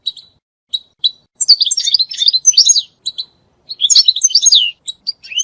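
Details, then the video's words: Song of a European goldfinch, used for mating and for teaching goldfinches to sing. A few isolated bright chips come first, followed by two rapid bursts of jumbled, high twittering. "مجموعة اصوات لطائر الحسون ل التزاوج و تعليم الحسون التغريد"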